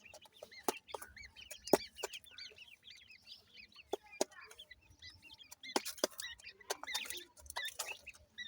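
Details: ['Several ring-necked pheasant chicks peeping continuously, thin high up-and-down notes tumbling over one another, with occasional loud clicks and a rustly burst toward the end.']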